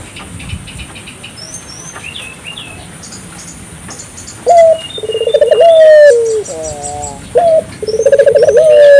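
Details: African collared dove meant to stimulate local doves to call: after about four quiet seconds with faint distant chirps, loud low cooing begins with rising notes, rolling trills and drawn-out falling tones.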